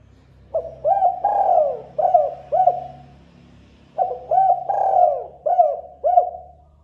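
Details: Spotted dove song used as a lure call: two phrases of husky cooing, each with quick hooked coos, one long drawn-out coo sliding downward, then two more hooked coos. A faint low hum runs underneath.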